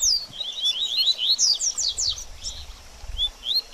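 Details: Double-collared seedeater singing baderninha, a song used to stimulate a bird after moulting: fast series of sharp, downslurred high chirps, thinning into a few spaced notes at the end.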